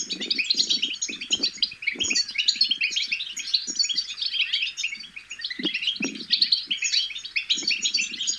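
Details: European goldfinch chicks babbling, a recording meant to stimulate goldfinches to sing: a dense, continuous twitter of high, tinkling chirps and trills that overlap without pause, with scattered low, dull rustling bursts underneath.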